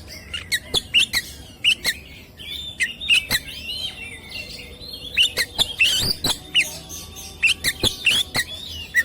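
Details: Oriental magpie-robin (kacer), a competition songbird with melodious chirping, delivering sharp varied whistled phrases and short rising notes in quick bursts, punctuated by loud broadband clicks and knocks throughout.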